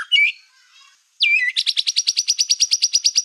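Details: Black-tailed white-rumped shama song used to provoke rival shamas: a few harsh chirps and a pause, then a fast, even trill of high bright notes repeated about six times per second.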